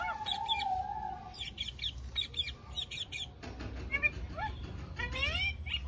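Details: Alexandrine parakeet chattering and mimicking speech, opening with a long level tone, then clipped squawky bursts and a run of rising whistled sweeps toward the end.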